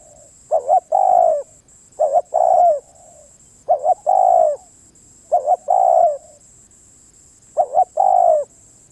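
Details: Spotted dove repeating its song five times in nine seconds. Each phrase is a stuttering double coo followed by a longer mellow coo that trails downward. A persistent thin high-pitched tone sounds underneath.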